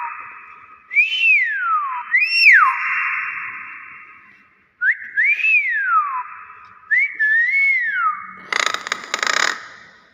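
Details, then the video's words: Hill myna in its natural voice: loud, clear whistles, each rising and then sliding down, in four separate phrases, followed by a brief burst of harsh broadband noise at the end. "UNIK BEO SUARA ASLI"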